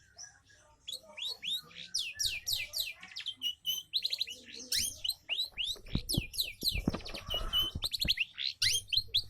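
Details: Long-tailed shrike song used as a lure to prompt other birds to sing: dense, fast, varied chattering of high, downslurred and rising notes, about three or four per second, with a few lower buzzy bursts and a low background hum.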